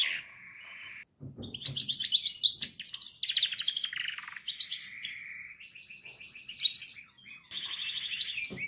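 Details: Canary song meant for training other canaries; a steady held trill, then rapid high chirping runs, buzzy rolls and repeated flat trills alternating over several seconds.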